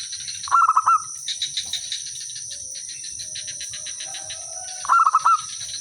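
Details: Village zebra dove singing as a lure so other birds respond; two short bursts of rapid soft cooing notes about four seconds apart, separated by quiet stretches filled with a constant high insect-like whine and light chirps.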